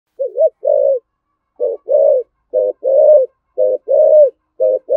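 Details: Spotted dove with a deep 'thổ sấm' voice giving 'thúc gù' rapid cooing: short paired coos alternate with longer, fuller rounded notes in a steady series, about one per second, with silent gaps and no other sounds.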